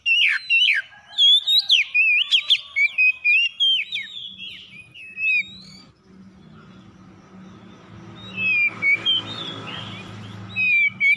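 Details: Oriental magpie-robins answering each other in the morning with harsh song: a fast burst of loud whistles, chatters and raspy notes, then a quieter gap with low rumbling hum before whistled phrases return.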